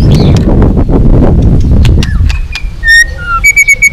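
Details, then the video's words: White-rumped shama long song used to fire up rival shamas: heavy rumbling noise with scattered clicks at first, then clear whistled notes and a short run of repeated ringing notes. "Luyện giọng dây dài cho lửa.chòe lửa đập tạch kéo dây hay. ép giọng kích lửa hiệu quả.tạch đánh đuôi"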